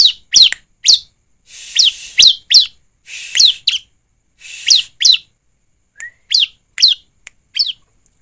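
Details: ['Bar-winged prinia song played as a lure to prompt another bird to sing: sharp, high, downward-sweeping chirps, often in pairs, given at irregular intervals with short silences between them.']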